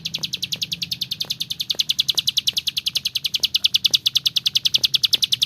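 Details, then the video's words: Bar-winged prinia in full, frequent song, used as a tutor recording for training other birds: a fast, steady run of sharp high chips, roughly eight per second, without a break for over five seconds, plus faint low background hum. "SUARA CIBLEK SAWAH GACOR"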